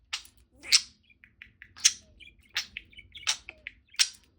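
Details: Male pet budgerigar singing while swinging: sharp high chirps about every second, with softer short whistled notes between them.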